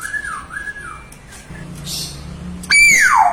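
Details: Young hill myna in full, loud voice, mimicking nature sounds: a wavering whistled tone rising and falling, a short buzzy burst, then a loud clear whistle sliding steeply downward at the end.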